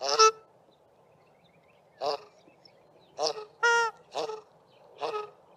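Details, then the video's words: Duetting South African shelduck pair at Mayfield sewage ponds, Grahamstown, male's lower-pitched honk alternating with female's higher call; six quick nasal honks, one drawn-out clearer note, as the pair calls on water and in flight. "South African Shelduck pair duetting on water and then in flight"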